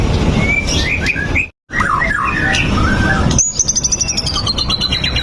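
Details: White-rumped shama singing as a lure for other shamas: jumbled short whistles and chirps, a brief silent gap, then a long, fast, high trill that slowly descends, with low noise underneath.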